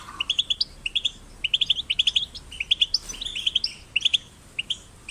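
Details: Young European goldfinches singing, used to encourage singing: clipped, tinkling note clusters repeated in rhythmic bursts of three or four, with brief pauses between.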